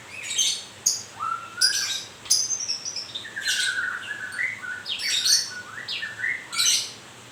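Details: White-rumped shama in moult sings clear whistled rising notes between sharp high scratchy bursts, the phrases coming every second or so in a lively sequence.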